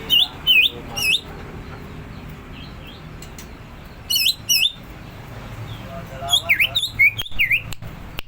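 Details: Greater green leafbird in rapid ngentrok singing. Bursts of sharp whistled notes, each with a dip and rise, come in clusters separated by quieter pauses. Brief clicks and a low hum sound in the background.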